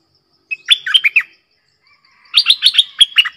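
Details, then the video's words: Red-whiskered bulbul singing the 'double song' (เพลงเบิ้ล) lure style with a clear tone: a crisp, warbled phrase of four to five slurred whistles, a brief pause, then a longer, denser run of quick notes. "เสียงนกดอกแตงEp.97 Birdsound เพลงเบิ้ล/เสียงใสน่าฟังSuara pikat merbah lekir"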